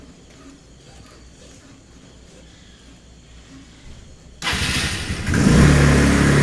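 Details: Low traffic hum and faint murmurs give way to a sudden loud engine roar that starts and swells near the end, with no animal sounds heard.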